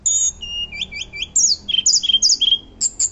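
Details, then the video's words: Hill blue flycatcher, a loud and lively bird singing in a fluting style: high, clear whistled notes and quick upslurred triplets, then sharp descending slurs in rapid succession over three seconds, with a quiet background. "Tledekan Gunung Gacor Nyuling Keras"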